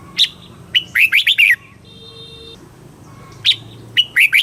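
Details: Thai red-whiskered bulbul delivering a southern master-style song to excite birds and teach young birds; a fast string of whistled, warbling notes, a steady electronic beep, then the phrase starting again.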